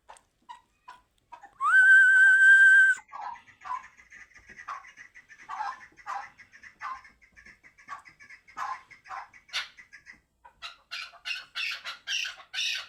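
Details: Chukar partridge recorded in Qabodiyon, Tajikistan: after a loud, steady, wavering whistle lasting about a second, many short clipped chuck notes follow in a loose stream, growing denser and shriller toward the end.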